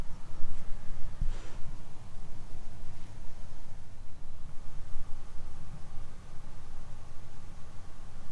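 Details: Heavy low wind rumble buffets the microphone, with one brief click and no animal calls.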